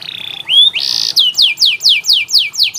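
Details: Canary tutor song for training lazy canaries to sing: varied whistled notes and a brief buzzy band, then a run of six loud falling sweeps repeated about every third of a second.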